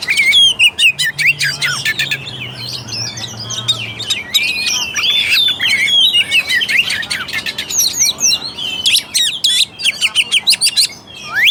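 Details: Lure recording of an Oriental magpie-robin (kacer) for birds that sing too little: continuous varied song of twisting whistles, scratchy chatter and rapid clicking note series, with a brief low hum early on.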